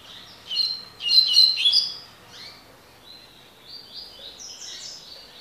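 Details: Double-collared seedeater, described as a spirited bird, singing the tui tui (tocó) song style: bright, high whistled notes in quick repeated bursts, then a run of thinner sliding notes rising slightly toward the end.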